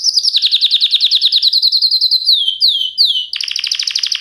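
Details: Canary delivering a quick rhythmic trill, then three loud down-slurred whistles, ending in a dense, fast, high chattering roll.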